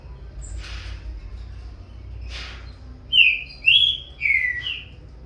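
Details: Captive young green-winged saltator competing in song with its father: after two soft noisy bursts, four loud whistled notes follow quickly, each a smooth slur, the last dropping in pitch.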